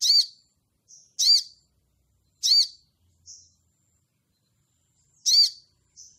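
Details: Calling to a rival in ngleper style, a crimson sunbird gives loud, arched, harsh high notes roughly every one to two seconds, each followed by a faint soft twitter, with nothing else audible.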